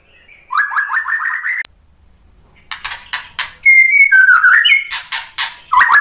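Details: White-rumped shama provocation song meant to stir other shamas; a fast series of rising chip notes, a brief silence, then scratchy clicks, clear whistles and a quick warbled phrase.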